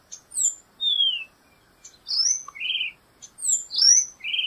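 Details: Black-goggled tanager song of sharp high notes, descending whistles and short burry warbles, the phrase repeated twice with brief gaps.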